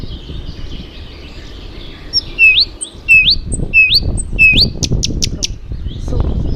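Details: Songbird singing a run of clear whistled notes, each sliding sharply upward, repeated about every half second, followed by several very high, thin pure tones; faint low rumbling in the background.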